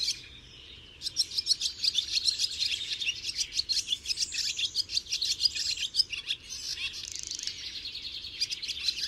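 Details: Barn swallow song: after a quieter opening second, a long, lively high twitter of squeaky chirps mixed with fast dry rattles and clicks, dipping briefly near the sixth second before going on.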